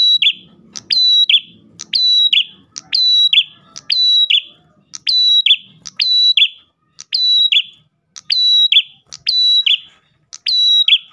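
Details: Vigorous Ash tailorbird singing to lure others of its kind: a long run of identical phrases, sharp tick then shrill level note then buzzy descending flourish, about one per second, with soft low murmuring early on.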